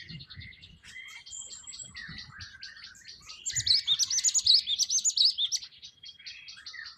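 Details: Wild Java sparrow song of dry clicks and thin tinkling notes, building to a loud burst of rapid bright chips in the middle before fading back to soft chatter, with a faint low rumble underneath.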